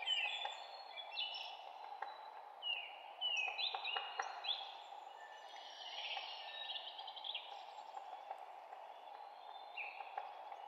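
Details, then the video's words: Several forest birds chirping in spring, high whistled phrases and short chirps overlapping from different directions, with a constant low rushing background noise throughout. "12 minutes of birds chirping"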